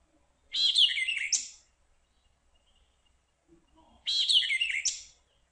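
White-eyed vireo singing two quick, emphatic phrases about three seconds apart, each a burst of snappy, slurred notes like 'chick-wee, perchio, chick'.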